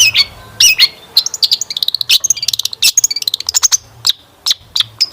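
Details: Long-tailed shrike lure song rich in varied phrases, used to draw other shrikes into singing. Squeaky whistles lead into a very rapid ticking trill, followed by scattered sharp notes.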